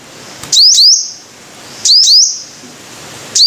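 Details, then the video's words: Five-colored sunbird, as named in Vietnamese: paired thin upward-sweeping notes with a brief buzzy tail, given in two bursts roughly one and a half seconds apart, with a faint hiss behind. "Tiếng chim hút mật 5 màu"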